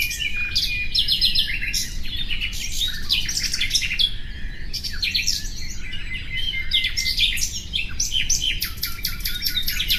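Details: Ten seconds of energetic common nightingale song: a constant succession of varied phrases, sharp repeated chips, buzzy rattles and clear whistles, with brief gaps between bursts. A faint low hum persists in the background.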